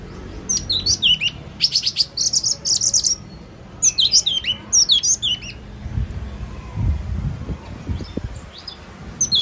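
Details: Yellow-cheeked tit singing two bursts of sharp, high whistled notes, each a rapid run of falling and rising chips repeated several times, with a quieter few notes near the end over low background rumble.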